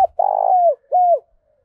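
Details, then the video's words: Decoy spotted dove calling wild doves in the morning. The second half of its phrase gives a long throaty trilled coo that slurs downward, then one clean descending coo, with quiet low thumps. "Chim Cu Mồi gáy gọi bổi vào buổi sáng bổi nghe nhanh gáy, tiếng chim cu gáy hay"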